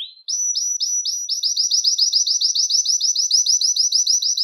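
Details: Belgian canary song used to attract and call canaries: after one note, a steady series of bright, upward-sweeping chirps repeated about three times per second, speeding slightly and staying at a high, even pitch.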